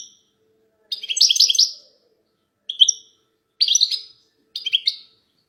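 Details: Goldfinch hens calling as a group to stimulate the male goldfinch to sing: short, high, buzzy trills and twangy notes coming in brief bursts under a second long, separated by quiet gaps.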